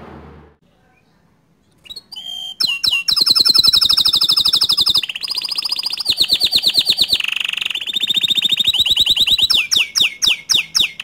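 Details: Bottle-green canary, recorded as tutor song for young canaries, singing a loud, continuous, varied song: very fast metallic trills and rolling rattles change from one phrase to the next. After a brief quiet start it continues without pause, ending in sharp repeated chips.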